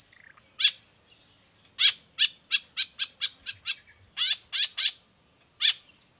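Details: Long-tailed shrike song meant as a model for other shrikes: a series of sharp, clipped notes repeated roughly every third of a second, with short pauses between groups.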